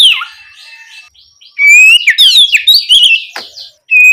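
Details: Oriental magpie-robin in 'ngeplong' song at night, a lure meant to make spotted young birds sing back: a soft, noisy opening, then a loud run of bright rising and falling whistles and scratchy notes, ending on a clear held whistle.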